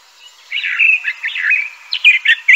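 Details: Crissal thrasher song, rather muffled and blurred, with tumbling warbled notes that run together and then sharper chirped notes near the end over a faint background hiss.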